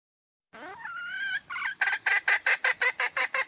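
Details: Red junglefowl, wild: a drawn-out, tonal wailing note bending upward, a brief harsh break, then a fast series of rhythmic raspy cackles, about three per second.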